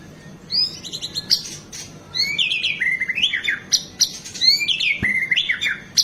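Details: Varied 'gacor' song of a White-rumped shama, used as tutor audio for captive birds; clear high whistles and downward slurs in quick phrases separated by short gaps, with one sharp click near the end.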